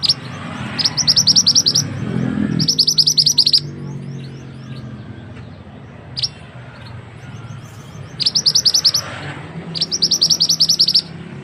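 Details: Mantenan bird song used as a tutor recording for other birds: bursts of rapid, high, repeated chirps in quick series, pausing between phrases, over a low background hum.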